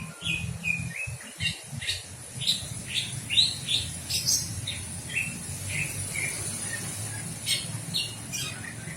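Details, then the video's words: Bird chirping steadily, short downward-sliding notes roughly one per second, over a faint continuous high whine and low background noise. "Sound of birds"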